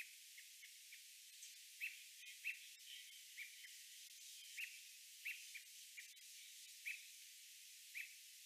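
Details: American robins, male and female, give short, sharp chipping warning notes, repeated irregularly about once a second over a steady hiss, calling to their fledglings on the ground.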